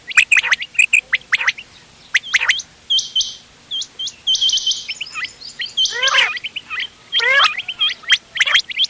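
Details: Quail voices mixed for hunting, in the ghonge wal, dogla and changa styles, dated 31 October 2025: rapid high chirps and hooked whistled notes come in quick bursts, with a few lower, rasping, descending calls overlapping midway.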